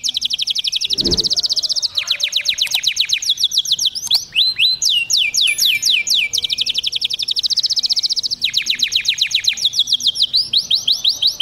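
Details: Male domestic canary in Taghreed style, singing to stimulate females: long sequences of rapid high trills alternating with swooping whistled slurs and faster rattles, continuous throughout, with one brief low thump early on.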